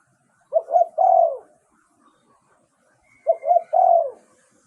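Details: Spotted dove giving a clear decoy song used to lure wild doves. Two cooing phrases, each made of two quick short coos followed by a longer, falling coo, with a quiet pause between them.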